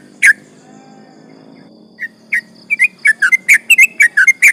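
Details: Sooty-headed bulbul in lively song used to provoke rivals: a single note, a quiet spell, then isolated whistles quickening into a fast, dense run of rising and falling slurred notes.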